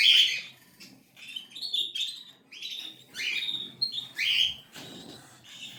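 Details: Cockatiel chicks produce a chatter of raspy squawks and short sliding whistles, loudest at the start and again near four seconds, over soft background rustle.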